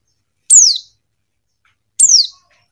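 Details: Female Buxton's white-eye calling to a male: two sharp, very high notes, each sliding steeply downward and lasting under half a second, spaced about one and a half seconds apart in otherwise quiet surroundings.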